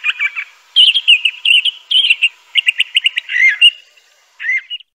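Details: Crissal thrasher singing, a bird of dense undergrowth near streams in the southwestern United States and Mexico: a varied, fairly smooth run of warbled phrases and quick repeated notes, with a short pause before a final slurred phrase.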